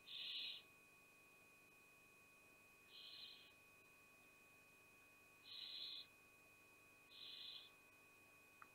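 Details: Barn owl mother pushing away her young at Théding, 5 July 2021. Four short, harsh hissing bursts spaced roughly two to three seconds apart, fairly quiet, with a faint constant hum throughout.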